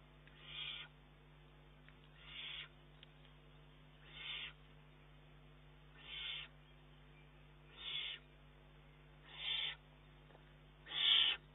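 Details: Eurasian eagle-owl youngster demanding food from its mother, 19 June 2011: seven rasping, hissy begging calls at steady intervals near two seconds, the last loudest, over quiet electrical hum.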